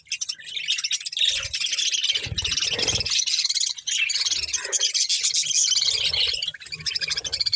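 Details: Budgies, a breeding pair kept as family birds, give continuous high twittering warble with fast chattering notes and occasional harsher buzzy bursts, almost without a break.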